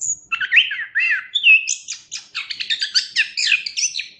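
Chestnut-capped Thrush song: a rapid, varied stream of high, sweet whistles, slurred notes and sharp chattering trills, delivered without pause.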